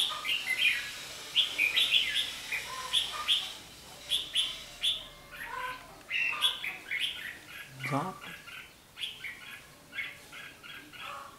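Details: Caged red-whiskered bulbul used as a decoy in a trap during fighting song, recorded 11 January 2016: bright whistled phrases around the upper range, repeated in short bursts roughly every second, with a brief low thud midway.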